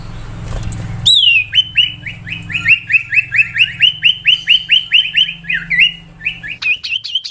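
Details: Common iora song in chatter style: after a sharp falling whistle, a long even train of quick upslurred whistled notes, about three per second, ending in varied rising whistles over a low background hum.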